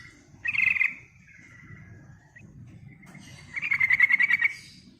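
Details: Lively yellow-vented bulbul song played as a lure for other birds: a short buzzy rattle trailing into a thin steady whistle, then a longer run of quick, evenly pulsed chattering notes over faint low background noise.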